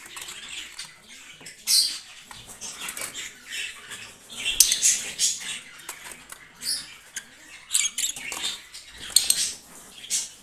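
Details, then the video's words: Green lovebirds in a breeding setup, sharp squawks and high squeaky chirps scattered through the clip, some louder bursts standing out over a softer background chatter. "Amazing Happy spicy Green Birds Cute Singing & Sound Birds"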